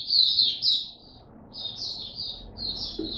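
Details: Kept white-eye on a song-boosting supplement, 3 November 2022: three short bursts of quick, high twittering separated by half-second gaps, against steady low background noise.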